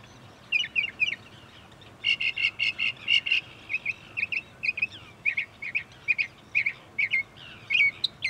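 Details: Song of a Northern mockingbird perched in bushes next to a parking lot at Cape May Point, New Jersey, USA: rapid chattering trills and stuttered notes, followed by a long string of varied chirps and whistles.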